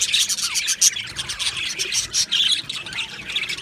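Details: Many budgerigars kept in an aviary colony: bright, quick chirps and thin whistled notes layered over a steady high chatter, bursts repeating every fraction of a second.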